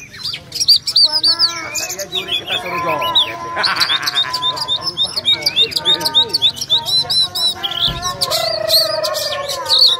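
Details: Fighting Oriental magpie-robin delivering a dense, varied song of rapid whistles, slurred rising and falling notes and scratchy chips, almost unbroken for ten seconds, with people's voices talking underneath.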